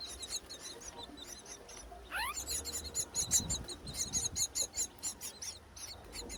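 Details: Myna nestlings begging during feeding by their mother at a nest on a tall palm tree, wild, breeding season; loud, rapid, rhythmic high-pitched pulsing notes repeated in quick runs, with a brief rising harsh note and low background noise.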